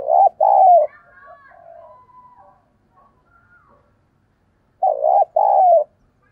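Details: Spotted dove decoy calling to lure wild birds: two cooing phrases about four seconds apart, each a rough double note and a longer falling coo, with faint chirping and whistling from other birds between them.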